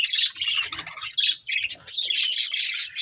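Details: Breeding pair of budgies with squawky, buzzy chirps and continuous high chatter, some low rustling beneath.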